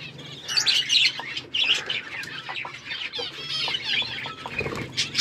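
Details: Budgies in an aviary set up like a forest, chirping together: dense, warbling high chatter with overlapping twitters and short squeaks, rising and falling in bursts through the clip.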